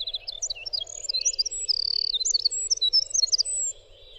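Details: High, bubbling winter wren song of jumbled twittering notes and brief whistled slurs, with a fast mechanical trill in the middle, accompanied by a steady low background hum.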